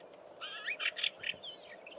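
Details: Lesser grey shrike, a rarity in the Eastern Cape, perched on a phone wire and singing a soft subsong to itself while watching the ground for prey: a quiet, quick jumble of warbled and chattering notes, over a low steady background hum.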